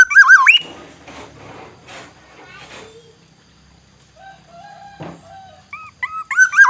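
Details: Aceh black-naped oriole: a loud, liquid, looping whistle opens, then comes a stretch of scratchy, noisy chatter and a few soft clear notes. Two short fluty notes lead into another rich whistled phrase to close.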